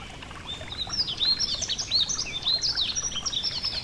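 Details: Yellow-throated bunting by a gentle stream: quiet at first, then a lively burst of high, thin chirps and rising-falling slurred notes that carries on to the end, over soft, constant water noise.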